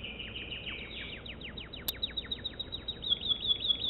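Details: American Singer canary song: a series of fast descending slurred notes, then a sharp click and a brisker high trill gaining in strength toward the end.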